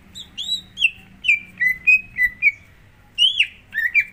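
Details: Greater green leafbird song used as a prompt for another bird: descending whistled phrases, notes sliding from high to lower pitch, a brief pause, then quick chirping notes.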